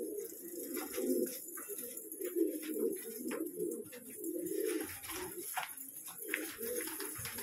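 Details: A flock of pet pigeons coos in overlapping, murmuring waves of low, throaty notes. Short clicks and shuffling sounds are scattered throughout, suggesting birds moving about an enclosure.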